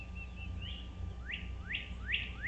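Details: American bald eagle at a Dale Hollow Lake nest, Kentucky–Tennessee, 17 April 2023 at dawn-time 07:24; a few soft whistles lead into four sharp rising upslurred yelps spaced about every third of a second, with background hum.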